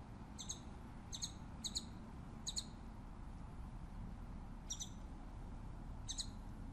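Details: Scimitar-billed woodcreeper (Drymornis bridgesii): faint, high, short paired notes repeated irregularly about once a second, heard at a distance against a strong low rumbling background.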